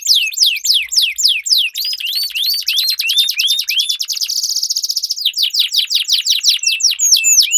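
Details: Domestic canary song used as a training lure for competition birds, two birds dueling: fast repeated downward-sweeping notes, then rising upslurs, a buzzy rapid trill, and more quick descending sweeps, all high-pitched and continuous.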